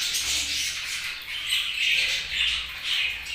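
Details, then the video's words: Budgerigar chatter fills the recording with a steady wash of scratchy, squeaky warbles and short whistled chirps from more than one bird. "Budgies' Chirping Sounds"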